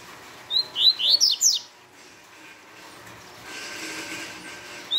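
A double-collared seedeater gives a quick burst of five or six high, clear, slurred whistled notes, then falls silent before one more note at the end.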